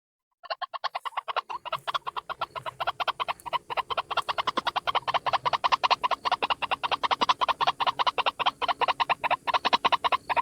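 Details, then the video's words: Single white-breasted waterhen lure call: a fast, dense run of harsh, croaking kwak notes repeated over two times a second, with rich harmonics, starting after a brief silence and continuing steadily throughout. "SUARA PIKAT BURUNG RUAK RUAK TUNGGAL"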